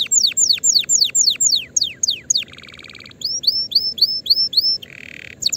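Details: Canary song recorded in 2024 to train young birds: a series of sharply falling whistled sweeps, then a rolling low buzzy trill, more rising-then-falling whistles, and a short buzzy burst at the end.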